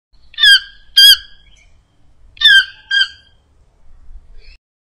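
A toucan gives four harsh, rasping squawks in two close pairs, each loud and brief, with quiet in between.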